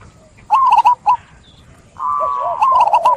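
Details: Song of a zebra dove: a quick series of clipped, bubbling coos, a pause, then a sustained low trill leading into more stuttered notes.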